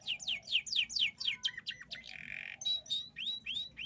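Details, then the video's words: Canary song phrase: rapid falling whistled sweeps repeated several times a second, a short level buzzy trill, then clear upward-curving whistles, loud and close against quiet low hum. "The unique sound of the canary bird calms the mind"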